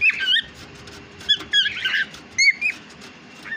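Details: Pet cockatiel calling in loud squeaky chirps and twisting whistled phrases, grouped in short bursts separated by brief pauses, recorded close up.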